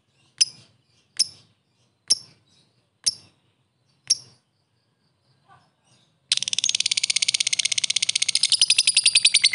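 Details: Lovebird 'ngetik ngekek' lure sound for fighter lovebirds to provoke a fast reply: five sharp ticking chirps roughly one second apart, then a long, dense, rapid high-pitched chatter.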